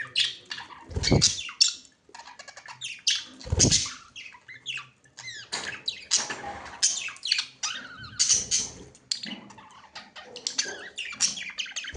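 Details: Budgerigars recorded on 19 January 2025 chatter continuously with rapid warbles, squeaks and harsh scratchy notes, punctuated by a few soft thumps.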